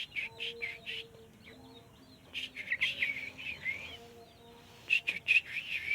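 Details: Sooty-headed bulbul kept caged and trained to sing often. It gives repeated bursts of loud, bubbly notes about two to three per second, with short pauses between, over faint high chirping and steady tones.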